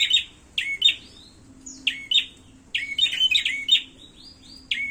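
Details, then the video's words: Fighting prinia giving bright, clipped chirps and upslurred whistles in rapid clusters separated by brief pauses, with a faint steady low hum underneath. "suara burung prenjak tarung"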